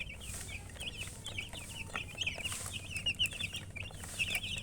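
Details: Chickens chirping in a dense, overlapping chorus of short, high, slurred peeps, many birds calling at once in quick irregular succession, with a steady low background hum.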